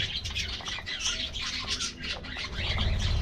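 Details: A colony of colorful budgies at their morning diet treat, continuous overlapping twittering and squeaky chirps, fairly dense throughout, with low rumbling noise underneath.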